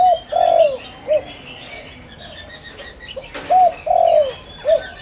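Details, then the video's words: Decoy spotted dove calling to stir wild doves: one low phrase of short, long falling and short coos, a quiet gap, then the same phrase again, with faint background bird chatter and a brief flutter. "Tiếng cu gáy mồi đất gáy gọi kích bổi cực nhạy"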